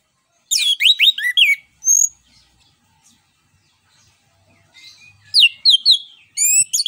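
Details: Orange-headed thrush song in the ngeplong style, a lure for other songbirds: a fast burst of steep, high sweeping notes and a lone whistle, a few quiet seconds, then two more rapid, jumbled phrases.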